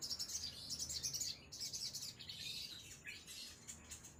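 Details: Ruby-cheeked sunbird pouring out a continuous stream of very high, thin, rapidly pulsing twitters, then softer sliding high notes toward the end.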